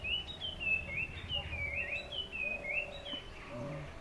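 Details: Puff-throated babbler calling in the morning: a run of clear, slurred whistled notes, rising and falling, about two per second, over a low rural background hum.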